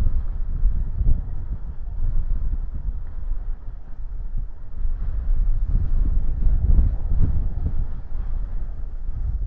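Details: Steady low rumbling wind buffeting the microphone, with no animal calls.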